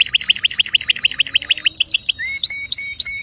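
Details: Domestic canary delivering a rapid rolling trill of evenly repeated notes, then sharp high chips mixed with short flat whistles.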